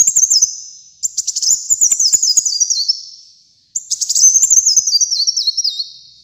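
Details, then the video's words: Sunbird known as kolibri muncang, recorded as masteran: two long, high, tinkling phrases that tumble downward note by note, each ending in a fading thin trail. "Kolibri Muncang Gacor Dor untuk Masteran dan Pikat Ampuh"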